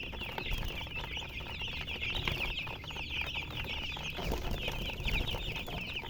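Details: Chorus of young chicken chicks giving rapid, shrill peeps that pile on top of one another nonstop, with soft low background rumble and scattered faint knocks.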